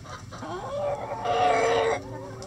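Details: A rooster crowing in the coop on a sunny day: one loud crow that rises, then holds a strong, harsh, drawn-out note for about a second before cutting off, over faint background hum.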